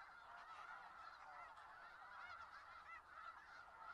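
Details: Large flock of snow geese at Skagit Valley, steady unbroken wall of overlapping nasal honks, fairly even in loudness, no single bird standing clearly apart.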